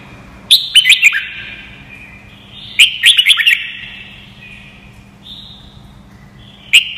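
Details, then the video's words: Red-whiskered bulbul phrases repeated for training young white-cheeked birds: two bursts of quick, bright warbled notes about two seconds apart, a thin sustained tone between them, and a single sharp note closing. "CHÀO MÀO | Luyện giọng chim hót cực hay - luyện má trắng nhanh học giọng"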